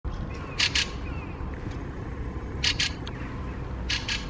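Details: Fieldfare (Turdus pilaris) defending its territory: harsh, dry chacking notes in quick pairs, repeated about every one and a half seconds, over steady low background rumble.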